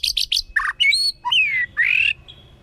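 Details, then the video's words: White-rumped shama forest-voice song in kéo thuốc lào style to provoke wild birds: three high buzzy chips, a rasp, then long drawn-out descending and rising whistles ending in a thin faint note. "chòe lửa hót giọng rừng. kéo thuốc lào kích bổi. tiếng chim chích chòe lửa hót"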